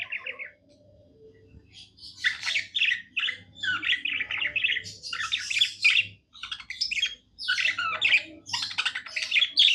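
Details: Pet budgie singing happily, a long run of buzzy, chattering warble notes mixed with sharp squeaks and clicks, broken by brief gaps, over a steady low electrical hum.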